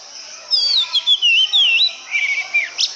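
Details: Oriental magpie-robin delivering a sweet, flowing song of long, wavering whistled notes that slide up and down, then a flat whistle and a short high flourish.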